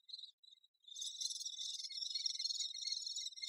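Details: A few short, thin high notes, then a sustained, dense, buzzy high-pitched chatter from a great spotted woodpecker busy with its young.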